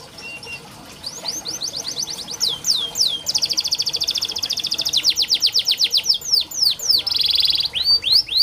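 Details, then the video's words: Canary song for coaxing a reluctant canary to sing: chattering trills build into a long buzzy roll, then rows of crisp rapid notes and another buzzy burst, steady and loud. "Burung KENARI malas bunyi Terapi untuk burung kenari masteran canary"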